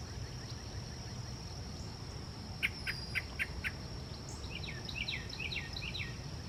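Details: On a dark, cloudy morning at Iroquois Park on 15 May 2024, a Yellow-breasted Chat gives a quick run of five short, even notes, then a jumble of rapid downslurred chirps, over a steady high insect drone and low background rumble.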